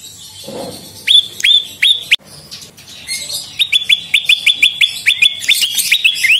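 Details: Energetic Bar-winged prinia song used as a lure and master: a few spaced rising chirps, then a rapid string of short clipped notes with high chatter behind them.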